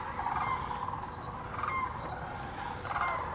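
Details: Continuous chorus of rattling, bugling calls from a huge sandhill crane gathering at Hiwassee Wildlife Refuge, Birchwood, Tennessee, where the birds arrive each year. Overlapping trumpet notes swell and fade over steady low noise.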